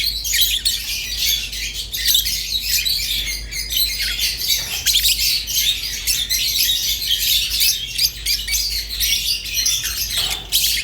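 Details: A long stretch of nonstop lovebird chatter, rosy-faced and Fischer's birds together: shrill, crowded twittering and squeaky chirps with almost no gaps.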